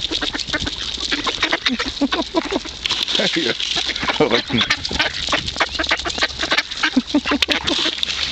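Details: A flock of ducks at the Kirchsee lake in Preetz, Germany, quacks eagerly while being fed. Rapid, overlapping nasal calls keep up without a break, and human voices sound faintly in the background.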